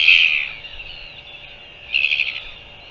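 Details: Northern royal albatross, 24 January 2023: two hoarse, noisy squawks, one loud at the start and a second, choppier one after a pause of about one and a half seconds, over a faint constant hum.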